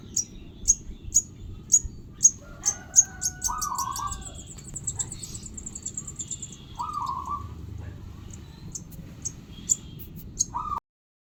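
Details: Sogon bird chick calling with a series of high squeaky chirps that run into a fast trill, then quieter peeps among mid-pitched whines and a low hum.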